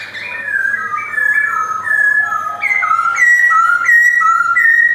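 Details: Caged male white-cheeked Black-throated laughingthrush in Yogyakarta, 2021, singing clear whistled notes that step between two pitches, alternating high and low at a steady, lilting pace.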